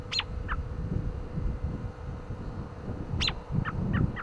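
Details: Short chirps from an American robin enduring a windy day: a loud, steeply falling chirp followed by a brief lower note, repeated after about three seconds, then two more clipped notes, all over constant gusty wind.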